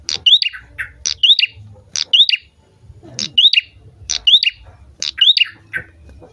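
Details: Energetic prinia song used to stimulate other birds: bright phrases of a sharp note, a rising whistle and a descending buzzy trill, repeated at roughly one-second intervals, with a low murmur in the background.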